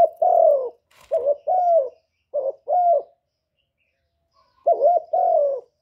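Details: Spotted dove from Cà Mau, Vietnam, kept as a lure bird for trapping wild doves: loud, husky coos given in pairs, a long note then short doubled notes, with a pause of over a second before a final pair.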